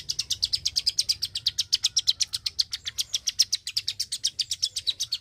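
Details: Klik-klik bird singing hard, a brisk series of crisp, high-pitched clicks at roughly eight per second, somewhat irregular in rhythm, over a low steady hum.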